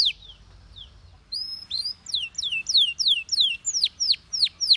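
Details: After a quiet start, a Belgian canary repeats loud downward-slurred whistled notes roughly twice each second, gaining volume.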